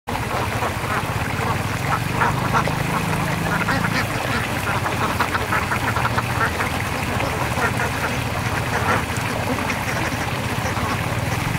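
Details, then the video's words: Ducks bathing, rice-field setting in Indonesia; dense overlapping quacks and splashy chatter fill the scene continuously, with low rumbling noise underneath. "Bebek Adus - Duck Sound"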